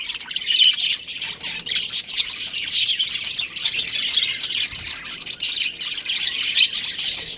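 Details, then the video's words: Budgerigar breeding pair twittering in quick, high, rasping chirps, a continuous chatter with louder pulses scattered through, and a faint low bump near the middle. "Amazing budgie chirping sounds"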